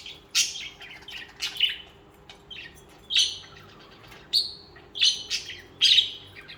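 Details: Singing budgerigars: loud scratchy chirps and descending buzzy warbles arriving in bursts roughly every second, with quieter chatter between.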